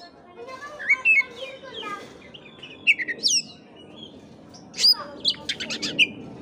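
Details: Oriental magpie-robin song used to spur a sluggish kept bird to sing; scattered clear whistles and sharp chirps, a quick burst of buzzy notes near the end, over a steady murmuring background.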